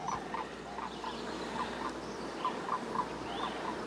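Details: Sandhill cranes give a series of rolling, trumpeting notes at a steady pace, several a second, over wind or insect hiss; heard in June near a hayfield in Canada, one seen flying by minutes earlier.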